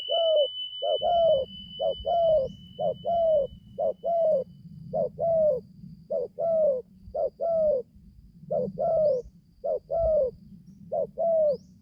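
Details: Spotted dove, a young bird just beginning to call, on its first training outing in the forest, giving rhythmic two-part coos roughly every second over a low steady hum, with a faint high tone early on.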